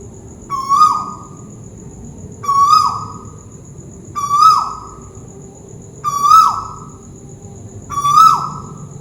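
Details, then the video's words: Malaysian tuwu bird calling from overhead: five short whistled notes, each rising briefly, holding a level tone, then dropping off, repeated about every two seconds over a steady thin high whine and low background hum. "Burung tuwu malaisia lagi bunyi diatas"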